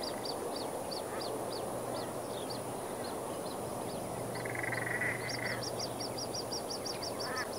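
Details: Plumed whistling ducks with young, along a roadside near Moggill, Queensland, give thin, high whistled chirps in quick repeated series, speeding up near the end, over a steady rushing background and a constant high hum.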